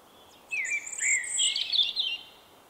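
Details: A common blackbird male with a song unlike others nearby, recorded in March 2024, delivers a continuous phrase of swooping whistles, with a thin high note overhead, ending in a jumbled squeaky twitter.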